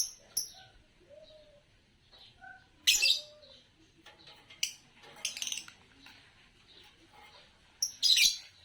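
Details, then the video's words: Green Fischer's lovebird chirping: loud, harsh, shrill chirps in short bursts every second or two, with softer twittering notes between them. "Lovebird Chirping Sounds"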